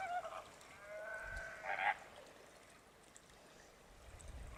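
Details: Greater flamingo giving a few short, nasal honks spaced over the first two seconds, the last one loudest, followed by quieter background.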